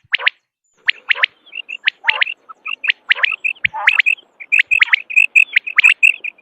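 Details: Common quail calling in rapid bursts of three sharp, liquid notes, packed closely together with extra short overlapping chirps, giving a busy, continuous sequence of high clipped whistles.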